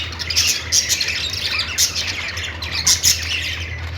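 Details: Budgerigars making a happy sound: dense, overlapping high chirps and short squawks from several birds, with brighter peaks near half a second, three seconds and the end, over a steady low mechanical hum.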